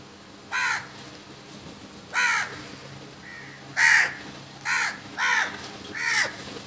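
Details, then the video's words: Crows, among a huge number attacking food, give harsh, hoarse caws, six in under seven seconds at an uneven pace, each a short rasping burst against a quiet background. "Crows Sounds"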